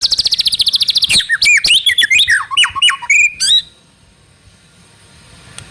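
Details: Young speckled White-rumped shama (murai batu trotol) singing, used as a lure to get other shamas singing quickly: a rapid burst of high buzzy repeated notes, then varied slurred whistles and sharp chips, stopping after about three and a half seconds.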